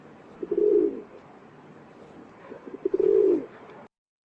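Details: Rock Pigeon of Seattle giving two low, throaty gurgling coos, each about half a second long, roughly two and a half seconds apart, over faint background hiss.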